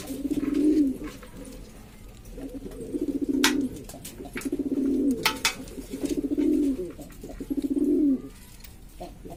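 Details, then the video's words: Domestic pigeons native to Lombok, Indonesia, several fancy varieties making a racket: deep bubbling coos in distinct bursts, five phrases over about nine seconds, with sharp clicks between. "burung merpati ini ribut sendiri"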